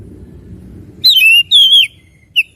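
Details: Oriental magpie-robin in full vigorous song: after a second of low background rumble, loud clear whistled notes burst in, one sliding downward, another held and wavering, followed by short bright whistles.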